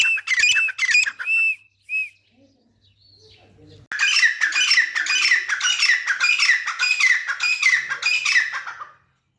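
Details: Grey francolin, called teetar, playing in mud while calling: loud harsh arched notes repeated in quick bursts, a short pause, then a dense rapid series of squawky calls, possibly from more than one bird.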